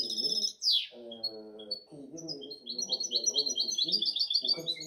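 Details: A seven-month-old European goldfinch hybrid sings a fast, high, tinkling twitter of short liquid notes while a man talks steadily beneath it.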